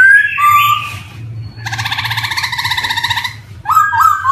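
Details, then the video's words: Black-throated laughingthrush (poksay hitam) song played as a lure for young birds beginning to sing: bright whistled notes, then a long harsh, buzzy, rapidly pulsing chatter, closing with quick stepped whistles. "GARULLAX CHINENSIS SONG"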